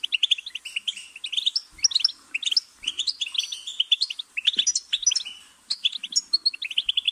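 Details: Goldfinch song of bright, quick chirping phrases tumbling together, rapid tinkling trills broken by short gaps, with a few faint low knocks beneath.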